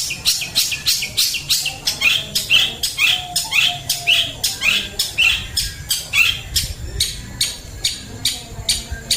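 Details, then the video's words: Long-tailed shrike in macan-style song delivers loud, scratchy chattering notes repeated roughly twice a second, some with downward-sliding tails, sustained throughout. "Cendet Macan"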